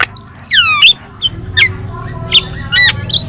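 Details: Yellow-eyed Javan myna giving a descending, wavering whistle followed by a few scattered short notes and squeaks over a quiet low hum.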